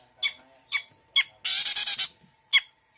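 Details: Long-tailed shrike giving sharp squawking notes about every half second, broken by a long harsh grating rasp, over a faint constant hum.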